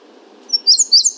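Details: An Indigo Bunting, recorded from 50 feet away, gives a brief burst of about five high, sharp song notes, some slurred and some paired, over a faint low hum.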